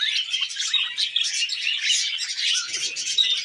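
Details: Several tame pet budgerigars eating wheat germ, giving a dense, continuous stream of high, scratchy chirps and warbling twitters that overlap without pause.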